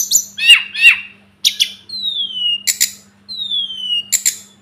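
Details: Sunda robin tutor recording: harsh chattering notes followed by two long, thin whistles that slide downward, each capped by sharp high chips, over a faint steady hum.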